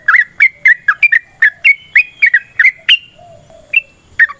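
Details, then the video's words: Yellow-vented bulbul giving long fighting-style 'ropel' song, a lure to make other bulbuls reply: about a dozen short bubbly notes in quick series, a pause, then a few more scattered notes. "TRUCUKAN GACOR TARUNG ROPEL PANJANG Pancingan trucukan Agar Bunyi Jadikan Burung Trucuk Gacor Nyaut"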